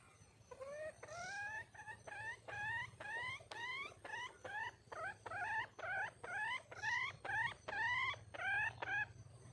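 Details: Wild hen red junglefowl calling in search of a male: a steady series of short upward-sweeping whistled notes, about two per second, continuing throughout with little else audible.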